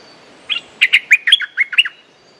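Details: Territorial male Streak-eared bulbul, ready to fight, delivering a rapid run of about nine liquid, chortling notes that rise and fall, clear against near silence.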